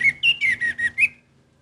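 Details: Orange-headed thrush giving a short string of six sliding whistled notes, slightly falling in pitch, over a faint low hum.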